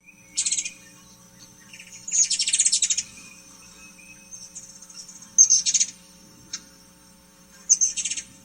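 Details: Ruby-throated Hummingbird song, described as delicate: high, thin squeaky chip bursts around 6–8k in four short chattering clusters with faint twittering between; otherwise quiet.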